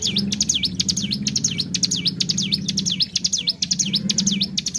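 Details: Ciblek gunung (hill prinia) singing gacor, meant to provoke birds into song: high sharp swooping notes falling and rising, about two each second, above a steady low hum.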